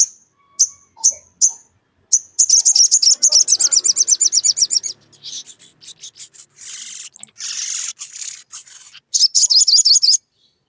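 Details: Energetic ngleper-style song of a sogon challenging a rival, used to make other sogon sing: several separate high chips, a long rapid high trill, then rougher raspy bursts and a closing quick trill.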